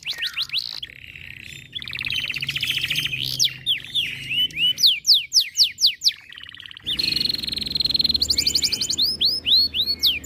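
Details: Canary in high breeding condition, roused by other birds' calls, sings a long varied high song mixing rattling trills, sharp downslurred notes and whistled arcs, about four notes a second in places, over a low hum.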